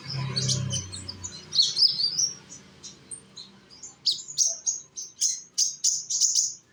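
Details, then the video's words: Indonesian sunbird (konin), a young bird used as a singing lure for other birds: a sharp high twittering phrase, then a run of rapid, evenly spaced, very high chips, with a low hum early on. "konin, Humming bird of Indonesia."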